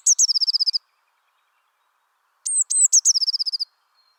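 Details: Eurasian Blue Tit, present all year in France, singing: a rapid silvery trill ends, followed by silence. Then comes a fresh phrase of two or three piercing high notes that runs into a bright, evenly repeated trill. No other sounds.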